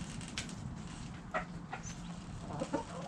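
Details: Backyard hens and roosters making a few brief, clipped clucks spaced irregularly, the last ones bunched into a quick stuttering series, against a constant low droning background.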